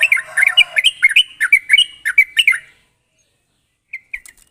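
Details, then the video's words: Yellow-vented bulbul (trucuk) giving a quick, sharp 'ropel' run of bubbly chirps lasting under three seconds, followed by silence and two or three soft separate notes; lure recording for other trucuk. "pancingan burung trucuk gacor ropel tajam ini ampuh buat memancing trucuk bahan agar cepat bunyi"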